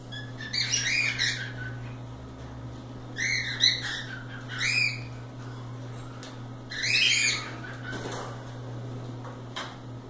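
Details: Free-flying pet cockatiels playing loose indoors give harsh, harmonic squawking calls in bursts around the first, fourth and seventh seconds, with a low steady electrical hum underneath throughout.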